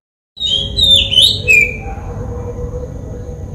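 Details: Oriental magpie-robin calling in Sri Lanka: a loud burst of high whistled, slurred notes, then a falling sweet whistle, over a steady low rumble of background noise.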